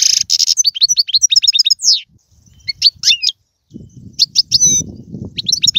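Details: European goldfinch song to spur a pet goldfinch into singing: a quick run of liquid chirps ending in a descending slurred note, a pause, then scattered twitters over low rumbling noise.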